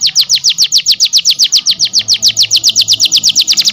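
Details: Canary song model for training other canaries: a steady series of sharp, downward-sweeping chirps repeated rapidly, about seven per second, loud and clean.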